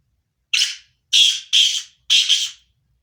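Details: Sindhi-strain black francolin giving four harsh, scratchy, buzzing notes in about two seconds, the last ones doubled and stuttering, in an otherwise silent setting.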